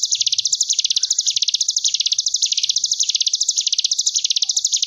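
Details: Sunda bush warbler tutor song in the ngebren style, meant for young caged ciblek gunung: a dense, high-pitched buzzing trill of rapid pulses that rises and falls in wave-like swells throughout, with a short low thud early on.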